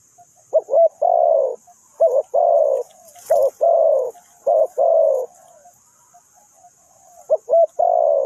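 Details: A trapping spotted dove gives four cooing phrases, each a pair of short hooting notes followed by a longer, grating, slightly descending coo, separated by brief quiet gaps; a soft thump midway and constant faint insect hiss.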